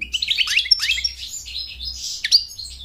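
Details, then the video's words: American goldfinch song used for attracting a mate and teaching young to sing: a brisk string of sliding, sweet twitters followed by a drawn-out buzzy note and a sharp chip at the end. "Goldfinch sings to mate Goldfinch sings to train chicks to sing"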